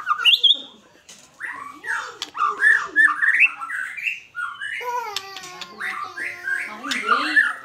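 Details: Vigorous fighter-style song of a white-rumped shama, with bright rising and falling whistles strung together rapidly, interspersed with harsh nasal notes and short pauses.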